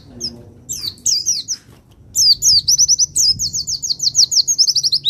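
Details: Javan white-eye from Pacitan, recorded for training and provoking other birds: sparse thin high notes, then a long fast run of sharp descending very high notes, steady and rapid, over faint low background noise.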